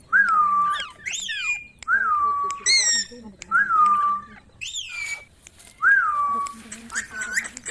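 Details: Talking ringneck parrot repeating a clear whistled phrase that drops then levels off, heard about five times, mixed with rising squeaky notes and brief chatter between phrases.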